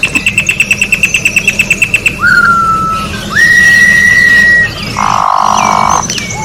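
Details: Orange-backed troupial singing in nature: a rapid run of about fifteen short ticking notes, then long, clear, level whistles, a broad buzzy note, and a final rising whistle, over a steady low hum.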